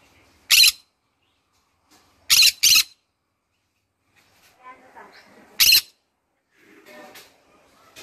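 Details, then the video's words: A pet green-cheeked conure singing in the morning gives four harsh, shrill screeches, two in quick succession, with soft muttering chatter or faint voices in between. "green conure singing in the morning"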